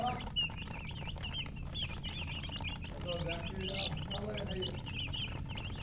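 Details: Several baby chicks peep rapidly and constantly, short high wavering chirps crowding together, while deeper soft clucks sound beneath them midway, all over a constant low background hum.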